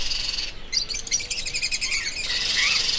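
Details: Parrot: a fast series of rough, stacked squawk notes, then a short, shrill upward call over a hissing background.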